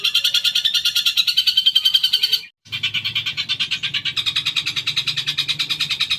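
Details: Long-tailed shrike song meant to trigger singing in caged birds: continuous rapid harsh chatter, broken by a short silence, then resuming with a low hum in the background.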